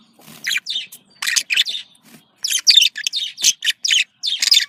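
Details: Pet budgerigars calling to get a pair into breeding condition: quick runs of chirps, squeaks and scratchy notes in irregular bursts, growing busier toward the end.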